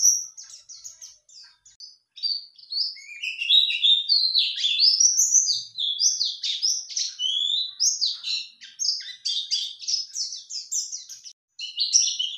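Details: Continuous high-pitched white-eye song played as a lure to draw a male's reply: a fast, jumbled stream of twittering chirps, trills and rising whistled slurs with almost no pauses.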